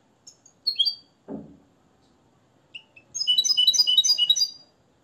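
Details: Hand-reared Moroccan goldfinch singing trained limpio song modelled on Tarkiba Dahabia 2020. A few scattered high chips and a low knock come first, then a fast, bright, jumbled twittering phrase of about one and a half seconds.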